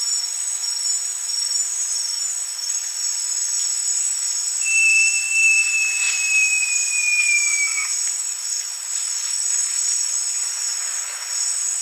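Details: Great jacamar song: a single long, clear, high whistle held for over three seconds, slowly sliding slightly downward and fading at the end, over a steady, loud, high-pitched insect chorus.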